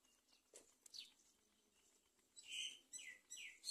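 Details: Great myna adult with a chick in a nest on a palm tree. Faint scattered chirps give way to three louder, squeaky, descending calls in the final second and a half.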